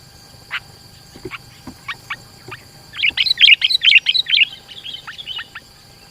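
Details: Sooty-headed bulbul recorded as a lure for trapping rivals and as a tutor for young birds: scattered soft chips, then a dense run of rapid bubbly notes lasting over a second, fading to a few chirps.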